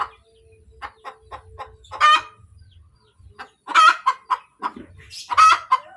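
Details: A laying hen's post-egg cackle, opening with a string of short, evenly spaced clucks that build into loud, rough squawks, each trailed by a few quick clucks.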